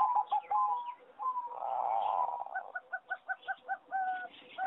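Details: Competition-strain singing zebra doves in an aviary on 26 April 2014; drawn-out coos and a dense warbling blur, then a crisp regular run of about nine short pulsed notes, each roughly a fifth of a second apart.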